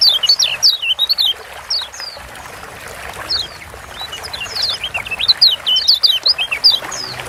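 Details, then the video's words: A Lombok kecial kuning white-eye opens with bursts of high zigzag chirps, pauses briefly, then returns with a dense, fast run of sweeping twitters, roughly a hundred notes a minute. "Ciak Joss Kecial Kuning Ampuh Bikin Kecial Malas Bunyi Jadi GACOR"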